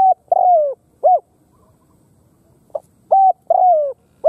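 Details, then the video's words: Khmer spotted dove repeating its phrase twice: short clipped coos lead into a drawn-out falling coo, with a pause of about two seconds between phrases; no other sounds. "Khmer Spotted Dove Sound លលកខ្មែរ"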